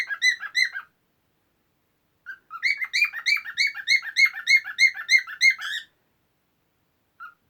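A cockatiel sings a fast run of bright, chirpy whistled notes to court a female.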